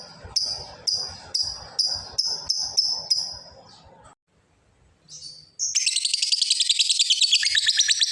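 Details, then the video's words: Lovebird calling to a rival, with a long 'ngekek' chatter: sharp chirps repeated about twice a second, a short pause, then a fast, continuous, buzzy trill. "suara Burung lovebird ngekek panjang manggil lawan"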